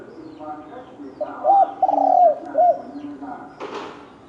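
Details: Spotted dove of the wild field type, heard in a fighting context: one short burst of cooing with a drawn, slightly arched note between two brief hooked coos, then a sharp noisy click near the end.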